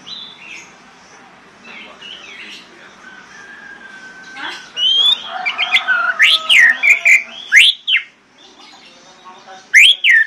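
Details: Lure song of an orange-headed thrush meant to coax mute birds into singing: quiet scattered notes at first, then loud, swooping whistles and rapid slurred phrases in a busy burst, a brief pause, and one more strong whistle.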